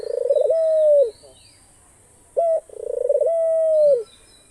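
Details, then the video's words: A pet Australian dove gives a low, purring coo that rolls into a long steady note and fades, repeated twice about two seconds apart. "ঘুঘু পাখির ডাক। অস্ট্রেলিয়ান ঘুঘু পাখির ডাক।The call of the dove.Australian dove bird call."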